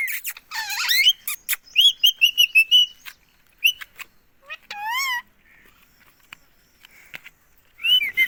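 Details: Indian pet ringneck parrot speaking "mummy" repeatedly: loud shrill chattering syllables in quick succession, then a single drawn-out arched utterance, ending with another sharp burst of calls.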